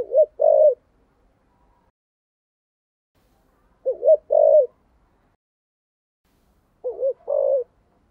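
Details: Spotted dove as a decoy bird, 'thổ' style voice: three widely spaced phrases, each a wavering two-note lead-in and a drawn rolling coo, roughly every three and a half seconds, otherwise quiet.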